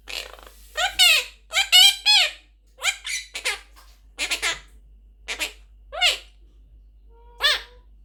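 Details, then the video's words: Blue pet Quaker parrot talking: a run of short, nasal, speech-like syllables with arched, buzzy tones, grouped in bursts about every half second to second, then a few isolated phrases and a thin whistled note near the end, indoors. "Talking Blue Parrot | Quaker Parrot Speaking | Quaker Parrot Talking"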